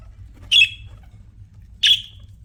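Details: A pet budgie gives two loud, harsh chirps about one and a half seconds apart, each with a short falling tail, against a quiet background.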